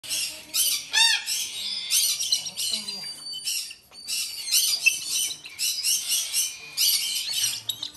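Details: Lesser sulphur-crested cockatoo chicks, hand-reared siblings about four months old from a domestic Japanese breeder, being hand-fed: loud continuous harsh squawking and shrill rasping cries, overlapping and pulsing without pause, with faint human voices underneath.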